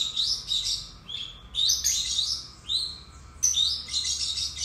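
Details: Lovebirds, a pet pair, chattering almost continuously with shrill overlapping squeaks and scratchy high chirps, intensity swelling and dipping, a few clearer descending notes, soft hum behind.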